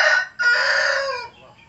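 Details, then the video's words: A hen crowing, filmed from a distance: a loud, harsh, rasping crow with a brief break after the first short note, then a long strained stretch that fades out after about a second. "ayam betina berkokok"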